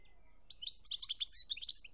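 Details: European goldfinch in Algeria, 2017, giving a brief, rapid tumble of high, sweet twittering notes with quick rising and falling slurs, lasting little more than a second.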